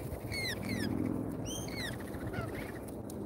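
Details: Lorikeets at a feeder in Australia, filmed live: clear, shrill, downslurred harmonic notes in pairs, then fainter ones, over a continuous low hum.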